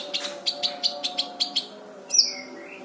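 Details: Brown-throated sunbird recorded to teach other birds, giving a quick run of about eight sharp, evenly spaced high chips ending in a loud bright downslurred note, with a soft steady hum behind.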